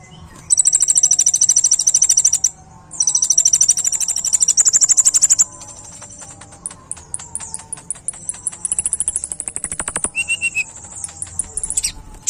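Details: Kolibri ninja (olive-backed sunbird) sings tembakan bursts for tutoring birds: two long, dense, shrill high trills separated by a short gap, then a looser stretch of scattered sharp ticks and thin whistled slurs.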